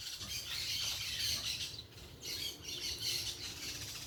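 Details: Group of parakeets calling outdoors: dense, high-pitched screechy chatter in two loud bursts separated by a brief lull, with constant background hiss.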